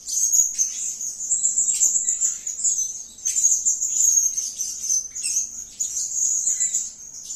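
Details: Blue-crowned hanging parrot calling actively: a dense, shrill, very high-pitched stream of sibilant twittering notes, continuous with brief pauses near three and five seconds, over a faint low hum.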